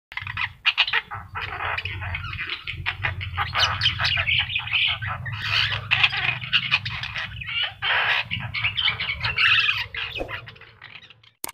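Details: Javan myna (jalak kebo, yellow-eyed form) singing in full, varied song, used as a master recording to train birds to sing: dense harsh chattering, squawks and whistled notes in continuous bursts over a steady low hum.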